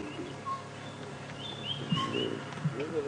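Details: A boubou, not heard for a while, gives faint, clear, bell-like whistles, a couple of pure notes a second or so apart, on an early-morning safari drive on 1 September 2016 near lions at a buffalo carcass. A low rumble and a murmuring voice are also heard.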